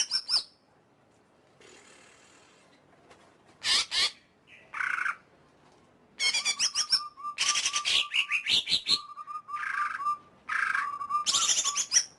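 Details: Varied greater green leafbird song: loud scratchy bursts and high whistles alternating with repeated steady mid-pitched whistled tones and quick chattering runs, continuing in long busy phrases.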